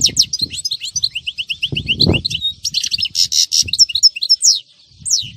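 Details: European goldfinch on a Friday, 2018: a continuous, fast twittering song of high liquid notes, buzzy trills and sharp chips, with some low knocking and rumbling in the background.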